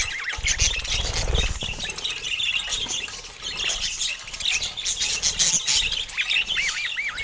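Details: Pet budgerigars with colour mutations chattering: a dense, continuous warble of scratchy, high chirps and squawks, ending with a run of looping, wavering whistled notes.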